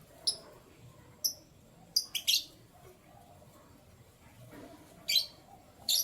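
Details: Canary calls heard in the morning: thin, high tweets at scattered moments, including a quick double note and a brief buzzy cluster, over faint background hum.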